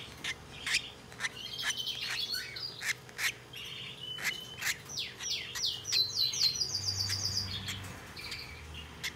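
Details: Hand-tame turquoise-rumped lovebird chick, recorded 16 December 2021, giving rapid, squeaky, high chirps and short rasping notes, several a second, with some clicks and handling noise.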